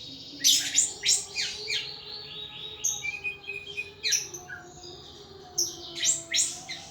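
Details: Pet thrush in a cage, Indonesia, singing in ngeplong style; loud bursts of rapid downward-sweeping high notes come in clusters separated by short pauses, with a soft sustained hum underneath.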